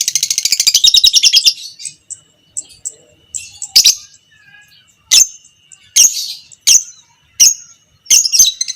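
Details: Fighter lovebird, biola pb creamino variety, recorded as a master for tutoring other lovebirds to chatter long: an opening run of rapid shrill chatter lasting over a second, followed by sharp high squeaks spaced roughly a second apart.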